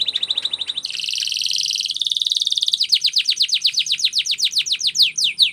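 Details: Canary training song: a fast trill gives way to a buzzy roll, then a slowing series of loud, downward-sweeping notes.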